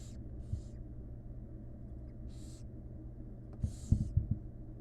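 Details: Barn owl chicks, wild, calling from a nest box during feeding by their mother: several breathy hissing snores, then soft thumps and scuffling near the end over a low hum.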